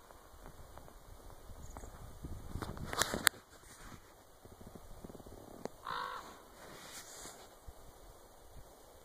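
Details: A common raven in Winlock, Washington, on 3-10-2017, possibly responding to a person's clicking, gives a single hoarse, throaty croak after a burst of sharp clicks, over a steady high hum and faint rustle, before flying off.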